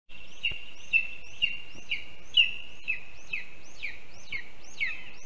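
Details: Lesser spotted eagle chick at a nest in Latvia on 7 July 2022, begging while waiting for its mother to feed it a mole its father brought: thin, high piping whistles with a rising slur, repeated about every half second.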